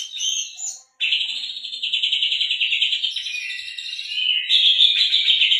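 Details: Energetic Oriental magpie-robin singing canary-learned phrases, played to provoke other birds into song: a brief opening phrase, a short pause, then a long fast rattling trill held steady before rising into brighter, higher chattering.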